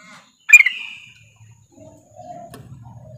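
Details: Female sooty-headed bulbul calling a male: one loud, abrupt chirp with a short trailing slur that fades, then near silence with faint low rumbling and a soft click.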